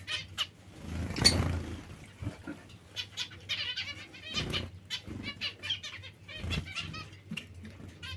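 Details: Zebra finches calling in a lively series of short, nasal, buzzy toots, some doubled or tripled in quick runs, separated by soft thuds and wing flutters over a faint hum.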